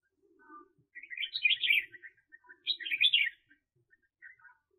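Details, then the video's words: A red-whiskered bulbul used as a lure bird for trapping in the 2021 season gives two bright, bubbling phrases of quick warbled notes, each about half a second long, with a few soft lower chirps between them. "Chào Mào Mồi"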